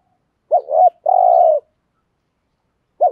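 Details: Spotted dove used as a calling decoy, THÚC GÙ pattern; a warbling double note then a long flat low coo, followed by the start of the next phrase.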